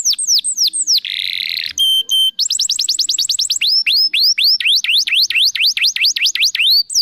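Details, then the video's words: Canary singing as a prompt for other canaries: falling whistled sweeps, a buzzy harsh passage, clear steady tones, a rapid trill, then a run of looping rising-and-falling notes. "PANCINGAN SUARA BURUNG KENARI GACOR BONGKAR ISIAN"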